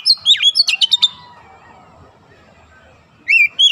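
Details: Kacer (oriental magpie-robin) training-therapy song meant to teach a young bird dense 'nembak' bursts: a short run of sharp, downward-swooping whistles and clipped notes, a long quiet gap, then another whistled phrase starts.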